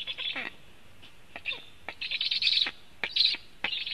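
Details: Latvian black storks at a nest during food delivery on 24 July 2015, 14:29, watched by a nest camera: raspy, high chirping bursts with falling tails, in short irregular groups separated by brief pauses.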